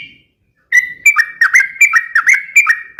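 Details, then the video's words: Sooty-headed bulbul in energetic song, used as a lure and to train other birds: after a brief silence, bright liquid whistled phrases of rising and dipping notes, repeated in quick succession with crisp high clicks. "suara trucukan gacor"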